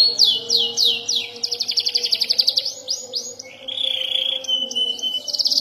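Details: Juvenile canary learning to roll and sing sharp bursts: a few looping downslurs lead into a fast rolling trill, then a long wavering whistle and a closing buzzy burst.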